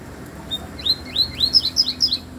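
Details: Double-collared seedeater song: a thin note, then a fast series of rising, upswept whistled notes repeated about every quarter second, growing louder; quiet background.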